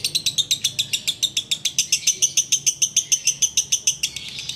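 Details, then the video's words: Ngekek-style song of a sooty-headed bulbul, heard as an evening pastime before breaking the fast: rapid, evenly spaced, scratchy high chips, roughly four per second, in one unbroken rattling run. "Ngekek Biang Kerok"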